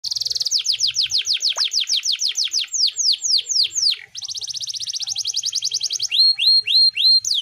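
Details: Canary singing to coax quiet canaries back into song: rapid series of downslurred whistles, a sustained high buzzing roll, then a few spaced rising-falling notes; soft low rumble underneath.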